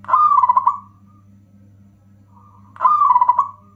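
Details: Zebra dove of local stock with a loud, distinctive rhythm, a song used to provoke other doves and coax silent birds into singing. Two stuttering, rolling coo phrases separated by a two-second gap over a faint steady hum.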